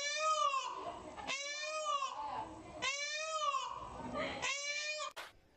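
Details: Indian peafowl at Tharparkar in Pakistan's Sindh province, several overlapping wailing calls, each rising then falling, repeated about once a second over a busy, noisy background, ending with a sharp click.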